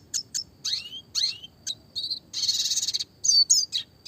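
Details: Classic red siskin singing clearly, a recording meant for tutoring small cage birds in fast rolls: sharp high chirps, downward-sweeping slurred notes and a dense buzzy trill, followed by a few more bright twittering notes.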